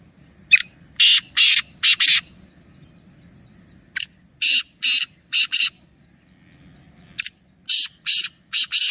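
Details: Three black francolins give harsh, grating phrases: a sharp click followed by three or four rasping, buzzy notes, repeated every few seconds over a faint low rumble.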